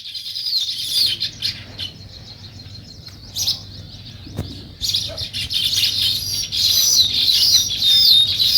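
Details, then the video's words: Sparrows chirping naturally in a morning scene: thin high chirps and tweets in scattered bursts, then a dense overlapping chorus building louder toward the end, over a low steady rumble. "Natural Sparrow Chirping Sounds"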